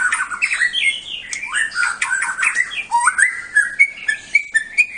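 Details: White-rumped shama from Bahorok in competition song: a tumbling mix of whistled and chattering notes, then a series of clear rising whistles toward the end.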